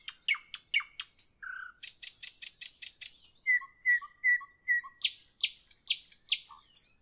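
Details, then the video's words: Nightingale singing at evening, with a varied phrase of clicks, a low whistle, a buzzy trill, repeated mellow whistled notes and a set of high descending notes. "Evening nightingale, nightingale song, nightingale"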